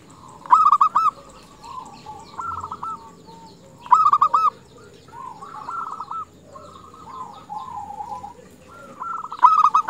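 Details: Female zebra dove luring males: sharp, rapid stuttering coo phrases about every three to four seconds, interleaved with softer rolling coos from several other doves in the background.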